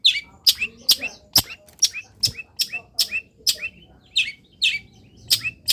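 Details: Long-tailed shrike in a cage, misted and sunned in the morning, delivering fast sequences of high, sharply hooked chirps at about two per second, with low background hum.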